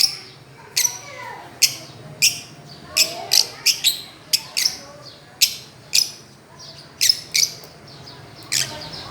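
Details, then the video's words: Fischer's lovebirds on a swing, giving clean sharp high chirps spaced roughly every half second to second, fairly evenly repeated. "Parrots playing and chirping"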